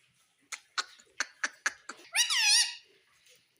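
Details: Indian ringneck parakeet, a talking parrot said to say mummy and papa; five sharp clicking ticks, then one loud harsh harmonic squawk that bends up and down for about half a second.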